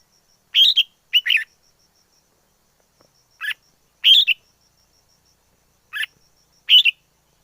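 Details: Wild red-whiskered bulbul singing: short bright chirpy phrases in pairs, then single notes, separated by pauses, over a faint steady high-pitched whine.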